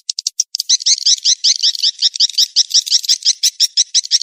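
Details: Swiftlet mating-chase lure call: a few separate chirps, then a rapid chain of buzzy high twitters, close to three per second, continuing without pause.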